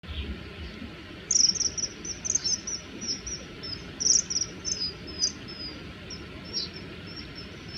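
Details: Common kingfishers, two males fighting over territory in an aerial chase with hovering, give threatening calls: short, very high, sharp piping notes in irregular bursts over a steady low rushing background.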